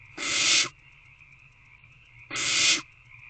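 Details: Owlets in owl box C on 3/2/24, 6:28 pm, waiting to be fed: two drawn-out, noisy hissing calls about two seconds apart, with quiet background hum in the gaps.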